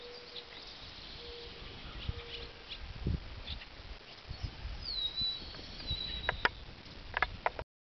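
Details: Unseen bird calling in Picton, Ontario, its call heard as beautiful: low, steady whistled notes at first, then a high, clear whistle that slides downward and holds level, amid soft rustling and a few sharp clicks.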